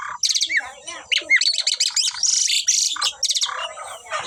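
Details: Two Asian pied starlings, a kept pair in full voice, deliver rapid scratchy chatter mixed with slurred whistles and rising squeaks, the phrases packed closely together with hardly a pause.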